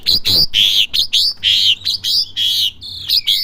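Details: Asian pied starling, a young bird learning its song, giving a loud string of varied whistled and squeaky notes, some rising and some falling, about one every quarter second, ending in a long downslurred whistle.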